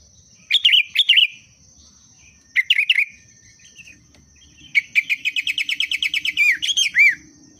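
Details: Sooty-headed bulbul booster song to stir birds into singing: two brief clusters of chirps, then a long, even series of about fifteen rapid chirps ending in a few warbled slurred notes, over a steady high-pitched hum.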